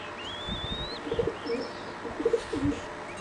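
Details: A singing zebra dove of a line bred for song competitions, while preening, utters clusters of quick, low, bubbling coos; a thin rising whistle from another bird is heard earlier, over faint background hiss.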